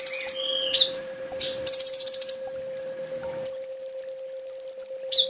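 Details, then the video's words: Sunbird tutor song for training kept birds: long, very high rattling trills of rapid even pulses, one running nearly two seconds, mixed with short whistled slurs and a steady low hum. "Suara masteran burung kolibri ninja full tembak"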